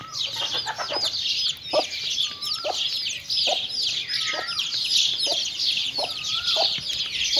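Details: Mother hen and chicks eating: thick layer of shrill chick peeps, soft clucks at irregular gaps and several smooth, bending mid-pitched whistles.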